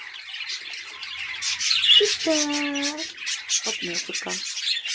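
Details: Home-bred hobby budgerigars chattering as a flock: dense, scratchy high chirps and warbles run throughout, with a woman's voice speaking briefly in the middle.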